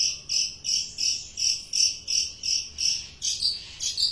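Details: Long-tailed shrike in lively song: a regular string of short, buzzy, high notes repeated roughly three times a second, changing near the end to thinner, sharper chirps.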